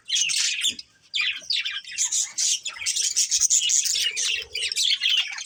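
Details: Budgerigars, a breeding pair, keep up a lively, rasping chirp-and-twitter warble with one short pause near the first second.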